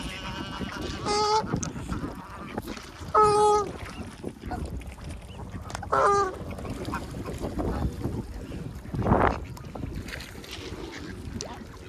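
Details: Goose protecting its babies during feeding, alongside swans and ducks; three loud, nasal, harmonic honks about two seconds apart, then a lower blurred call, over a background of wind noise.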